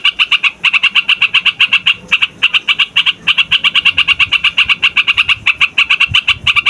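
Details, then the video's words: Sooty-headed bulbul (trucukan), lively noisy rolling song used to lure wild trucukan for trapping and to tutor young birds: fast chattering run of bright repeated notes, about eight per second, with brief pauses between bursts. "TRUCUKAN RIBUT BUAT PIKAT, MASTERAN DAN PANCINGAN TRUCUKAN PAUD DAN OMBYOKAN"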